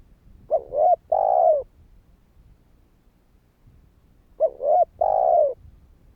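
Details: Two matching phrases about four seconds apart from a spotted dove calling to prompt other doves: each has short rising coos leading into a longer, rough, slightly falling croo.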